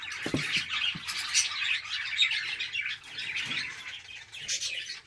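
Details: Home-bred pet budgerigars in a breeding setup keep up a busy, overlapping twitter of quick squeaks and chirps, with a few soft low knocks near the start and no voices.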